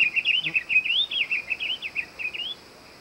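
A Diademed Tanager sings a quick, jumbled warble of bright chirping notes, about two and a half seconds long, against a quiet background.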